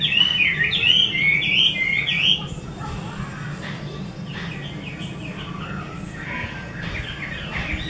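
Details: Chinese hwamei of the 'mơ' type, kept by an artisan, delivers a loud burst of quick looping whistles for about two seconds, followed by softer distant warbling phrases over a steady low hum.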